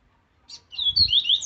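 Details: Captive double-collared seedeater in forceful laranjeira 'viviti zel zel' song for training: a short chip, then a chain of clear high whistled slides climbing in pitch, with a faint low thump midway.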